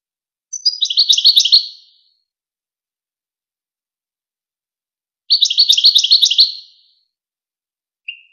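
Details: European goldfinch song in the famous Wakr Touzgha style, played as a tutor tape for young goldfinches and hybrids: two bursts of rapid, tinkling, twittering notes, each over a second long, separated by silence, then a brief final note. No background noise.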